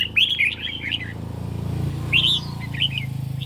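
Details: Caged red-whiskered bulbul singing in a duel against a phone recording on a lightly sunny day; two short bursts of bright warbled notes with a low rumbling hum underneath.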